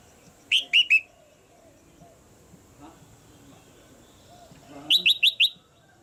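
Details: Red-whiskered bulbul female kept caged, giving calls meant to push a male into harder singing: a burst of three high chirps, a quiet gap of several seconds, then a rapid string of four more.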